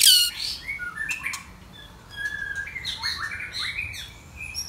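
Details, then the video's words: White-rumped shama singing loudly: a rich, varied run of clear whistled phrases and quick slurred notes, some rising and some falling, delivered almost without pause. "White Rumped Shama"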